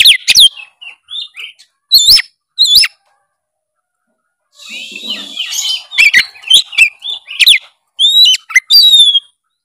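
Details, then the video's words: Oriental magpie-robin in full 'narung' challenge song, used to set a silent bird singing: sharp upslurred whistles in short bursts with gaps, then a hissy scratchy passage and more bright whistles at the close. "kacer malas bunyi seketika gacor bila denger suara kacer gacor full narung satu ini"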